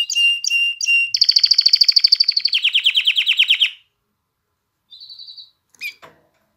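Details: Canary singing to rouse females for mating and encourage young birds to sing. Three short whistled notes open, followed by a long rapid trill that drops in pitch, a pause and a faint soft roll.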